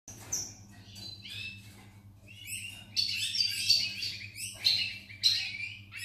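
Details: European goldfinch recorded on 8 November 2018, giving scattered high tinkling notes that build into a lively burst of liquid twittering with sharp accented chirps, over a low electrical hum.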